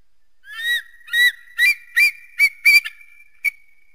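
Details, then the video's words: Eagle calling in a series of about seven short, clear yelping notes on a fairly steady pitch, spaced roughly half a second apart, the last few packed closer together before a thin, drawn-out tone trails off. "eagle and its distinctive voice"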